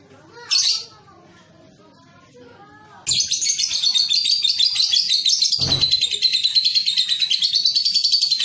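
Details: Training recording of a young lovebird for long ngekek singing: a single sharp chirp, a quiet gap, then a sudden, fast, high, buzzy chattering trill running steadily for over five seconds.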